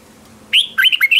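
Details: Red-whiskered bulbul used as a decoy for luring others, singing a brief, clean burst: a bright upslurred whistle, then a couple of swooping notes running into a sustained warble as the clip ends.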